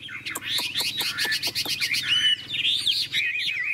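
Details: {'caption': 'Caged hwamei in a singing contest, golden and glossy: a series of sharp clicking ticks under dense warbling, then a clear, wavering whistled phrase rising and dipping.'}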